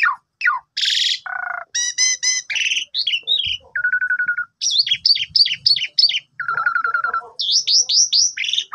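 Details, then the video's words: ['Morning lure song of an Asian pied starling for a sulking bird: a rich medley of downslurred whistles, harmonic chirps, low nasal bars and rapid rattling trills, delivered in quick bursts with short gaps.'] "Pancingan Pagi !! Jalak Suren Lagi Pundung Agar Cepat Gacor Langsung Bongkar Isian"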